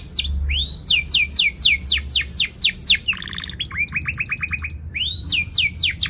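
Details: Canary singing loudly and sharply, with 'cuit cuit' chirps and rolling trills, meant to prompt young canaries learning to sing: fast runs of high, steeply falling whistled notes, a buzzy stacked trill near the middle, then a quick rising series and more falling sweeps.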